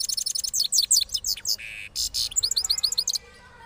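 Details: Loud rolling song from a cross goldfinch of Parachinar after its moult, rapid rhythmic high chirps run into buzzy notes and a fast repeated twitter, ending quietly.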